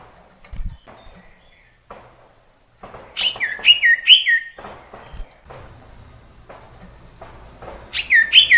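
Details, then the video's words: Male sirtu pressing a rival with its song: after quiet faint ticking, a run of loud whistled notes that rise then drop, repeated about twice a second, with a final whistled burst at the end. "sirtu jantan menekan lawan menjadikan burung sirtu gacor DOR"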